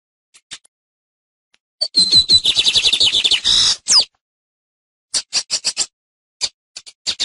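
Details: Lined seedeater teaching song: faint clicks, then a thin whistle leading into a rapid trilled phrase about two seconds long, followed by spaced bursts of sharp clicking notes.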